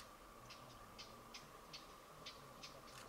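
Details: A stonechat in autumn at Oku-Nikko, Japan, gives faint, hard clicking ticks, about seven in three seconds at an uneven pace, over a steady high hum.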